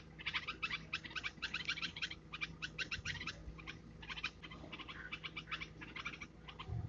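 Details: Red-vented bulbul hatchlings near a home utter dense bursts of high, scratchy begging chirps in quick succession with brief pauses.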